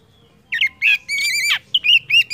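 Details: Oriental magpie-robin song used to prompt other birds to sing: a short, lively phrase of rich whistled notes mixed with harsher, slurred syllables, delivered quickly after a brief silence.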